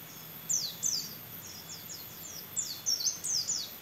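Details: Canary-style song from a trained competition white-eye: bright high down-slurred whistles in short clusters, a pair early and a busier group near the end, with a faint constant background hum.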